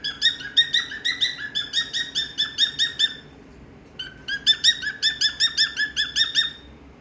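A cockatiel gives quick runs of short, bright chirping notes in two bursts, with a brief pause between.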